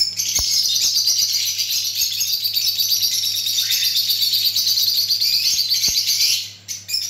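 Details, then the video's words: Common lutino birds chattering in a dense, continuous stream of high, rapid chirps and tweets that overlap throughout, with a few sharp clicks and a low steady hum beneath. "Relaxing sound of common lutinos"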